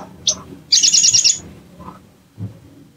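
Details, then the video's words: Provoking lure of a bar-winged prinia: a single sharp chirp, then a brief, very rapid high trill lasting under a second, with faint low background noise afterward. "PANCINGAN EMOSI SOGON BAHAN AMPUH BIKIN CEPAT BUKA PARUH"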